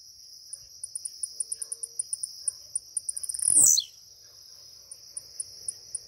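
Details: A single sharp, buzzy downslurred note from a caged blue-black grassquit as it is waking up breaks through a steady high insect drone and rapid repeated ticking chirps.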